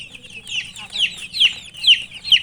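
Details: Close, loud peeps of a chicken chick while eating, each note a high, sharply falling whistle repeated roughly every half second over softer chirping from nearby chicks.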